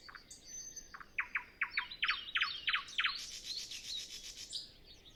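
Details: Early-morning nightingale before sunrise, no wind: a run of repeated clipped notes that speeds up and doubles into paired strokes, then breaks into a bright, dense buzzy trill that fades out.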